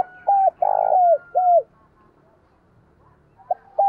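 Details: Spotted dove cooing in the loud, clear 'thổ sấm' voice style, used to lure wild doves: one mid-pitched phrase of a short coo, a long rough coo and a falling coo, then another phrase begins after a pause.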